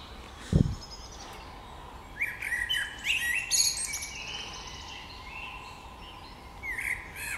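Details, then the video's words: Birds singing in spring: a low thump early on, then bright warbled and chirping phrases with high sweeping notes, a pause, and a short rising phrase near the end over steady soft background noise. "Wiosenny śpiew ptaków"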